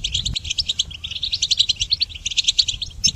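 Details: Rapid, tinkling goldfinch song meant for training songbirds, notes pulsing in quick even beats through the whole stretch, bright and chattering with a few higher sparkling notes at the end.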